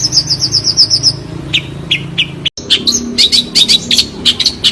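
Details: A clear-voiced long-tailed shrike sings a quick string of high whistled notes, then scattered chips, then a dense burst of bright chattering after a brief cut.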